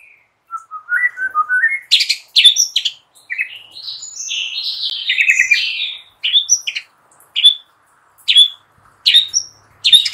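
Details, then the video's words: White-rumped shama singing in the morning, used to lure another shama into loud, constant singing; rising whistled notes lead into rich warbled phrases, then sharp clipped chirps repeated about once a second. "Hitungan DETIK SAJA Jadikan murai PAGI HARI Terpikat NGEPLONG dan GACOR"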